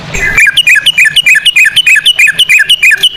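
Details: Yellow-vented bulbul in fast ropel delivery, cucak rowo style, played as a lure: a brief rough burst, then a steady string of loud, bouncing whistled notes, roughly three per second.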